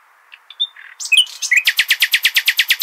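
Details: Nightingale song in the al-Hasaniya style, used for tutoring young goldfinches and hybrids. Brief thin notes and a buzzy burst give way to a loud, rhythmic, throbbing rattle of about a dozen pulses.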